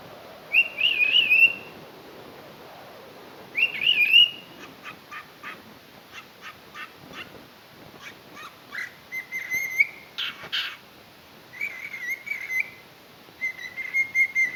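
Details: Cockatiel (Nymphicus hollandicus), song.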